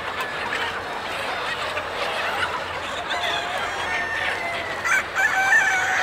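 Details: Roughly thirty thousand farm hens and roosters rushing out at feeding time: a steady roar of massed clucking and chattering, with a rooster's crow breaking through near the end.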